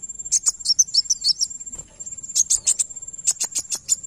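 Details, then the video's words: Van Hasselt's sunbird song meant to make another bird reply: a run of high, slightly descending chipping notes, a short pause, then louder clipped high notes repeated in rapid succession, with a thin continuous high tone behind. "Kolibri wulung langsung nyaut dengar ini"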